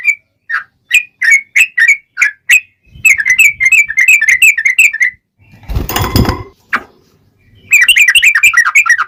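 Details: Sooty-headed bulbul in full, long rolling 'ropel panjang' song used as a lure to make other bulbuls answer: rapid chirpy notes in quick bursts, with a short harsh rustling noise near the end before the chirping resumes.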